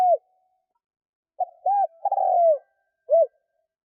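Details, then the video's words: Decoy spotted dove cooing as a lure for wild doves: a short low coo, a pause, two hoarse arched coos, then a longer burred rolling note falling away, closed by a final clipped coo. Quiet background. "Tiếng cu mồi thúc gù gáy kích bổi cực nhạy"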